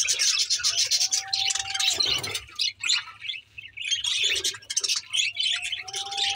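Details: Lively budgie chirping from 24 May 2024: a thick stream of high twittering and grating chatter, interrupted once by a soft thud, while a steady plain tone hums in the background twice.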